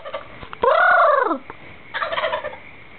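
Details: At night in dark woods, a turkey roosting in a tree gives one loud, rattling gobble that arches up and falls away, then a softer, rougher burst of calling against a low steady hum.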